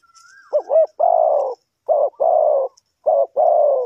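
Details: Decoy spotted dove for bird trapping repeating its coo three times. A short throaty double note leads into a longer low steady coo each time, and a thin falling whistle is heard at the start.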